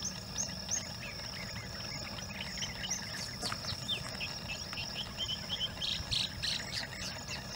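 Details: Long-tailed shrike (Lanius schach) near Udaipur, Rajasthan, in August, on a birding trip, sings a varied run of short chirps and whistles mimicking other birds such as rain quail, rock bush quail, spotted owlet and myna, over a constant high insect drone.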